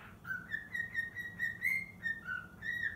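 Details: Six-month-old pet cockatiel practising the Totoro melody: a run of clear, steady whistled notes that step between a lower and a higher pitch, about nine short phrases in three seconds, with a faint low room hum underneath.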